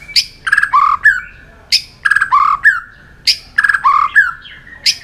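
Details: White-rumped shama in competitive singing: a phrase of a high sharp note, buzzy chatter and fluty falling whistles, repeated three times at roughly one-and-a-half-second intervals.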